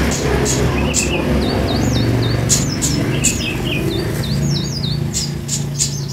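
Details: A caged kolibri ninja sunbird, a recording used to prompt newly acquired birds to sing: quick series of high, slurred chirps rising and falling, given in loose groups among sharp clicks, over constant low rumbling background noise.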